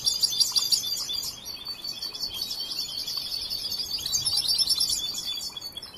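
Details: European goldfinch, a young bird in song training, twitters continuously with high, liquid, buzzy phrases and quick chatter for six seconds.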